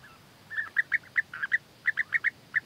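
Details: During courtship a male European bee-eater offers food gifts to the female; about a dozen clear, rolling, liquid notes given in quick pairs and singles over a low hiss.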